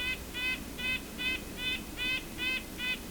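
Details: Wild red-breasted nuthatch in Ontario in winter, Christmas Bird Count season, answering pishing with evenly spaced nasal honking notes, about seven in three seconds, clear over a soft low rumble.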